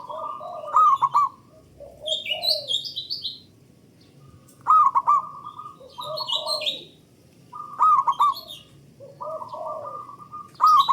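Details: Loud local zebra dove singing, used as a lure to set other doves singing. Quavering, bouncing coo phrases and sustained level notes recur roughly every three seconds, with bright higher chirps from other birds.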